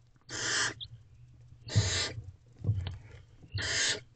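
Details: At a barn owl nest box shortly after midnight, a female feeds herself and her owlets: three drawn-out, noisy hissing screeches about 1.5 seconds apart, with soft knocks between them.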